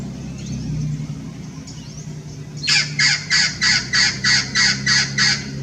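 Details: Amazon parrot hybrid, Blue-fronted crossed with Red-crowned, in Irvine Regional Park, California, on 9 January 2018: quiet at first with faint distant chirps, then nine loud hoarse squawks repeated rhythmically at about three per second.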